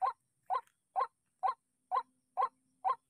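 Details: White-breasted waterhen provoked by an MP3 decoy in a trapping spot calls with seven clipped, nasal croaks about every half second, clean and regular against a quiet background.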